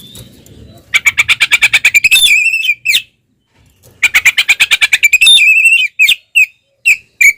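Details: Fighting oriental magpie-robin with tail opened, singing ngeplong style: a rapid burst of repeated scratchy notes runs into bright whistled phrases, a pause, then the same rattling burst again followed by separate short chirps.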